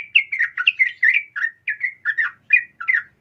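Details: A female sooty-headed bulbul calls a male, meant as a lure for singing males; clean, rapid, slightly slurred chirps repeated about three per second against silence.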